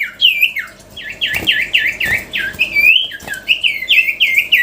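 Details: Sirtu in full, lively song: rapid chain of bright, looping whistled notes, each curving up and down, repeated almost without pause at a steady high pitch.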